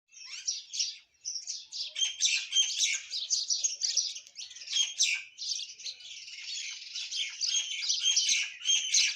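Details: Myna singing among Indian birds in the morning: dense, continuous high chirping and chattering with short whistled notes, many rapid notes overlapping throughout, with no pauses after the first second.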